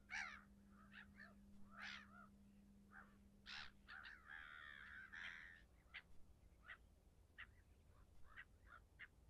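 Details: Red-throated diver, a leucistic bird, uttering irregular harsh cackles and nasal croaks, some drawn out and wavering, with quieter scattered notes and a low background hum.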